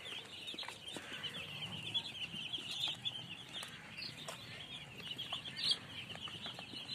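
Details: Baby chicks cheeping continuously, a dense chorus of high, thin peeps overlapping throughout, with a few soft scuffling sounds in the background.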